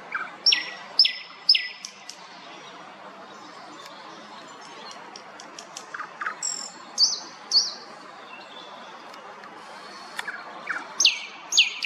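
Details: Thrush nightingale singing beautifully and loudly in a city centre on 25 May, small and inconspicuous: varied phrases of ringing repeated notes, pure high whistles and short chattering bursts, separated by brief pauses over steady background hum.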